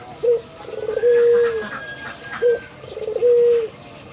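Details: Kept albino Barbary dove cooing actively with head-bobbing, giving two matching phrases about two seconds apart. Each is a brief low note, then a longer smooth level coo that falls off gently.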